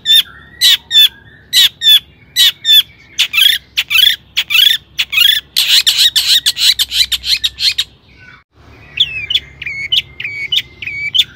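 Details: Long-tailed shrike in full, active song, played to rouse other shrikes: rapid series of sharp descending notes building into a dense chattering flurry, a brief pause, then thinner high whistled notes with twangy inflections.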